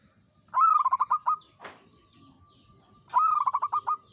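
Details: Local-type perkutut, or zebra dove, in full song: two cooing phrases about two and a half seconds apart, each opening with a rising note and breaking into quick pulsed coos, with a sharp click between them and faint high chirps of other birds.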